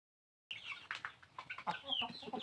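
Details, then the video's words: Bangkok chickens in their coop: after a silent start, a burst of short clucks and squawky notes, some rising and falling, with quick chattering calls overlapping. "Aktifitas ayam unik dikandang"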